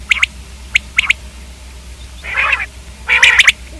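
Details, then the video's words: A few sparse clicking quail notes at the start, followed by two louder raspy, gargling bursts from the common quail. "Common quail video|Quail k hobsort awaz|Quail/Batair|Batairawaz"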